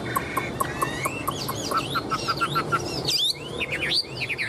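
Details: Tame caged Chinese hwamei, said to cling to its perch and flaunt wings and tail, giving a run of short repeated notes, then sweeping whistled and slurred phrases, over a steady low background hum.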